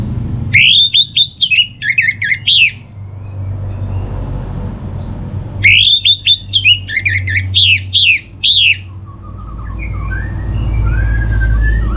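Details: Orange-headed thrush delivering two long bursts of rapid, varied whistled and scratchy notes about five seconds apart, followed by faint distant whistles and low background rumble.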